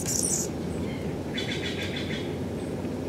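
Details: Male Anna's hummingbird with a purple throat, visiting a porch in the Pacific Northwest in 2017, gives a sharp high squeaky burst, then a run of lower buzzy stuttering notes, all over constant low background rumble.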